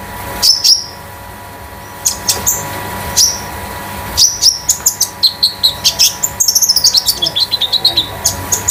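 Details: Caged Scarlet-headed Flowerpecker (konin damer) used as a song tutor: a few isolated piercing chirps open, then a fast accelerating stream of high metallic notes and falling whistles builds into a continuous trill toward the end.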